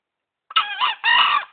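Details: A hand-tame green junglefowl from Gunungkidul, lured from the wild and three months in care, crows once: a hoarse buzzy opening syllable and a longer raspy second syllable, in a quiet setting.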